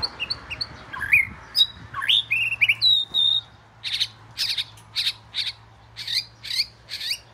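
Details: Oriental magpie-robin, southern form, the first at the house, sings sweet slurred whistles and then a run of evenly spaced, buzzy, high notes, repeated about twice per second.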